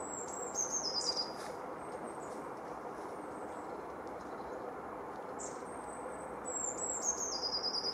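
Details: Eurasian blue tit song recorded at Anglet, France, winter 2018-19: two phrases of very high, crystalline descending notes, the second accelerating at its close, separated by quieter high calls over a hissing background.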